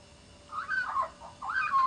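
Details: Australian magpie singing in Canberra, two short, mellow, fluting phrases that warble up and down, each lasting about half a second, with a soft hiss behind.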